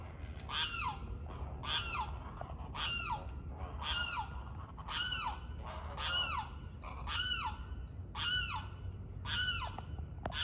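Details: Noisy young great blue herons begging at feeding, possibly two fighting for food: a steady run of coarse, rasping squawks roughly once per second, each sliding downward, with a limpkin's screech behind and constant low background hum.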